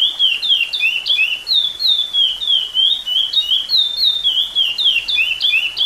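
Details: Chestnut-bellied seed finch, a repeater-style singer holding a silver-seal 30-year song recording, giving a continuous run of clear, sweet whistled notes that dip and rise in quick looping phrases, several per second.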